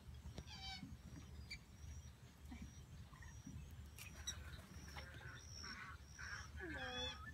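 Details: Whistling ducks calling at Wakodahatchee Wetlands, with other birds singing in the background: a thin whistled note near the start, rough mid-pitched calls later, then a burst of high whistles with lower sliding notes at the close, over constant low background rumble.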